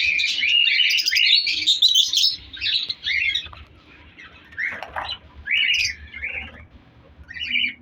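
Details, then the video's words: Colour lovebirds in an aviary breeding colony with clay-pot nests during winter, including Fisher's and lutino birds with chicks. Dense high squawks and chirps overlap early on, then thin to short harsh bursts and squeaks with brief gaps between them. "Breeding Progress Colour Love birds |African love birds colony Update"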